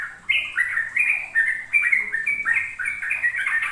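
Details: Sooty-headed bulbul in rapid ropel song for tutoring young untrained birds: loud, clear whistled notes, each sliding downward, following one another about three per second in a rolling chain.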